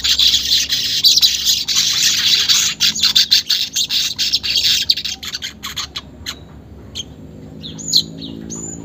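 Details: Lure recording of weaver song to make caged birds sing; fast buzzy, sizzling chatter for about five seconds, then it fades to quieter scattered chirps and a few thin whistles.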